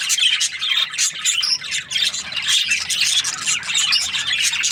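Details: Flock of budgies chattering nonstop, harsh squawky notes mixed with short whistled chirps, overlapping voices with a faint low hum underneath.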